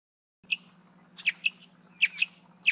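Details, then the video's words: Marsh antwren giving crisp high chirps, mostly in doubled notes roughly every three quarters of a second, with a low electrical hum and a thin high whine behind. "Canto do pássaro Bicudinho-do-brejo"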